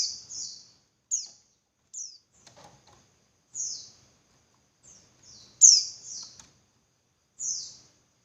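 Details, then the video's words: Calling female Javan white-eye, played to rouse males into eager singing: short, high, descending chips and twitters, irregularly spaced, with one louder sharp note midway and a brief soft rustle. "Suara Burung Pleci Betina Buat Pancingan Pleci Jantan Biar Ngalas Lebih Ngotot"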